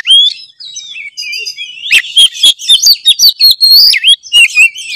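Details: Oriental magpie-robin in lively lure song: soft whistled notes and a thin warble, then a loud fast string of swooping whistles, sharp chips and clicks in quick succession.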